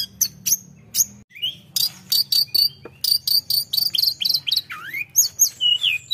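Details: Tledekan singing in full, lively voice, meant to provoke rivals: rapid string of high chirps, sharp ticks and whistled slurs, some swooping down then up, delivered about twice a second with brief pauses; faint low hum beneath.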